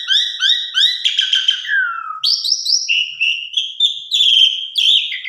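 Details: Asian pied starling song used to provoke other birds to sing. It opens with three repeated chirping notes and a falling whistled slur, then continues with clear sustained whistles at varied pitches.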